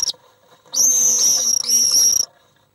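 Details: Common swifts fighting inside an occupied nest box after an intruder entered, 1 July 2012: two harsh, shrill screaming bursts, each under a second, separated by a brief pause; a faint click starts the clip.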